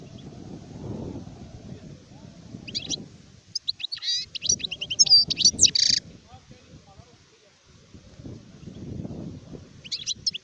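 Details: Mid-clip, an adult European goldfinch gives a few seconds of fast, tinkling, chattering song with short buzzy phrases. Low rumbling noise is heard before and after, and a few twitters return at the close.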